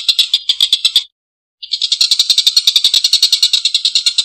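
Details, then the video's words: Collared kingfisher calling in a rough, harsh chatter: fast repeated rasping notes that break off briefly, then resume as a longer, steady rattling laugh. "Suara tengkek buto||masteran burung gacor ngekek panjang suara kasar"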